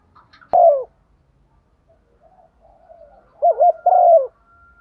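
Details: Female spotted dove used as a decoy, calling to lure males in the morning: a short emphatic coo, then after a quiet gap a pair of low, wavering, throaty coos close together.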